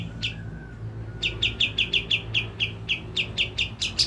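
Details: Kapas tembak song used as a lure to make birds excited and sing: a lone chirp, a pause, then a steady series of clear repeated chirps, roughly four per second.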